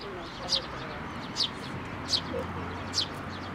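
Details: Sparrows taking food from a hand at a Tenmangu shrine on 19 May 2024; four sharp, high chirps under a second apart, with a low background murmur.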